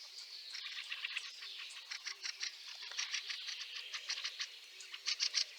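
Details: Fieldfare in snowy conditions at Liepāja, Latvia, March 2023, giving rapid, scratchy chak notes that blur into a continuous chatter, growing sharper and louder toward the end.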